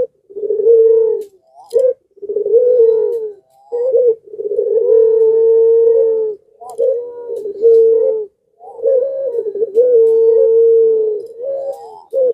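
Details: Pelung-type Barbary dove in breeding condition, calling continuously and provoking surrounding doves to join: repeated long coos with rolled openings, broken by brief clipped notes over twelve seconds.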